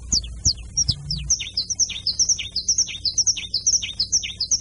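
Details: Canary in carretilha song opens with a few separate falling whistles and soft thumps. It then settles into a rapid, even roll of high repeated two-part notes, a whistle over a dropping chip.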